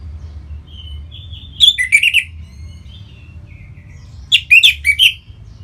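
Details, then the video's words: Orange-headed thrush in Bali singing to provoke song from other birds: soft rising whistles build into two bursts of loud, quick, sweeping chirps about three seconds apart, with faint whistles between. "Punglor Merah Lagi Berkicau.. Untuk Pancingan Bunyi"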